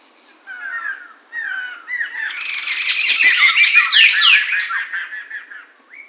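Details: Poksay mantel, or Medan, recorded in 2021: soft slurred whistles build into a loud, rich, continuous warble of squeaky, ringing and harsh notes lasting several seconds, then fade to a brief upslurred whistle.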